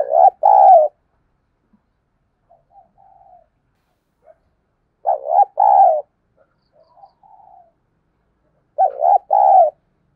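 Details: Decoy spotted dove calling in the thúc bổi style, used to make wild doves coo in reply: low, throaty double coos, each a short note then a longer one, repeated about every four seconds with faint soft notes between.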